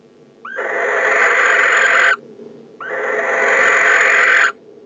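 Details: Male barn owl at a nest box on 15 December, calling to the arriving female from inside with two long, harsh, hissing screeches, each about one and a half seconds, with a brief rising note at the start.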